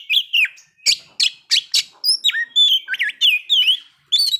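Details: Oriental magpie-robin song meant to provoke breeding condition and aggression: short sharp clicks at first, then a string of fluid whistles bending up and down, each about a third of a second.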